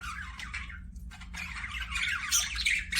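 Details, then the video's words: Pet budgerigars, called parakeets, in an aviary, giving a dense run of scratchy, squawky chirps and warbles, rising louder toward the end, with a low steady hum underneath. "PARAKEET NOISES"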